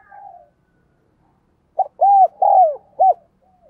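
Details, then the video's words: Decoy spotted dove cooing to attract wild birds: a clipped note, two long arched coos and a final short coo in quick succession, after a faint distant coo at the start and a pause. "Chim Cu Mồi Thúc Và Gáy Gọi Rất Sung"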